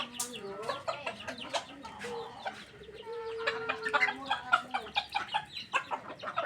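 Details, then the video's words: Chickens being fed, giving dense overlapping clucks and short squawks, with a few drawn-out level calls and scattered clicks and pecking sounds throughout. "feed the chickens"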